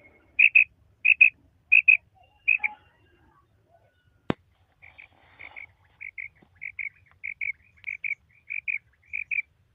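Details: A captive female common quail, possibly in Pakistan, gives high, clipped double 'quip-quip' notes about every half second: four loud pairs, then a softer run, with a single sharp click midway.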